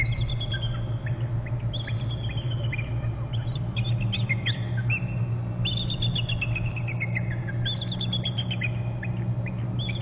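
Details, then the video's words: On Hornby Island nest territory, a bald eagle gives repeated strings of high, slightly squeaky piping notes. Each run steps downward, with several runs across the ten seconds over a constant low mechanical hum from the nest camera. "1 13 1240 calling"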